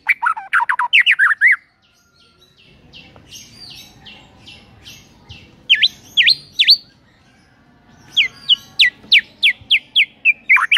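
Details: White-rumped shama song used as a morning lure to make birds sing, showing its full repertoire: loud, clear whistled phrases with sharp rising and falling notes in quick bursts, a quiet pause between song bouts.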